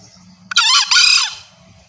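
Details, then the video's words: A female green junglefowl gives a call meant to attract males. It is a single loud, raspy call in two quick parts, strongly harmonic, and fades after about a second. A low droning hum runs underneath. "Sound of green jungle fowl..Masteran Ayam Hutan Hijau"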